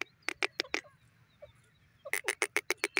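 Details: Grey francolin, known locally as teetar, calling in two bursts of loud, broadband clipped notes about three per second, the second series sharper and more regular after a pause.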